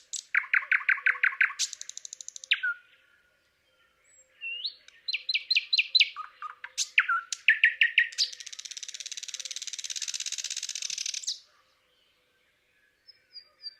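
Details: Thrush nightingale singing in Palupõhja, Estonia: loud, varied phrases of rapid repeated clicking notes and sharp whistles, then a long harsh rattling trill lasting about three seconds.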